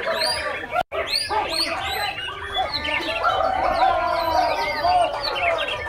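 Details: Juvenile Oriental magpie-robin performing a busy run of sharp high chirps and descending whistled notes, briefly cut by a moment of silence, with people speaking in the background.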